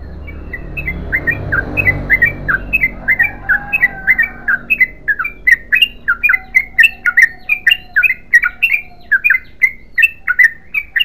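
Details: Yellow-vented bulbul giving a long unbroken song, an eleven-second stream of chirpy, slurred notes that grows louder and more rhythmic, over a low hum and a faint thin whistle-like tone.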